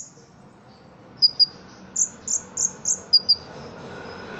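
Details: Ruby-cheeked sunbird from Indonesia, a caged bird trained for song competitions, singing a song filled with cricket-like phrases. Sharp, high, thin chirps come first as a pair, then four slightly lower slurred notes, then another quick pair, over faint background hiss.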